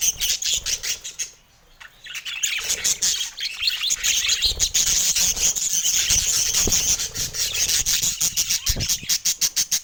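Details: Budgies sing in the sunshine on a San Diego morning, a continuous high twittering chatter over rapid, rhythmic clicking, after a short quiet lull near the start.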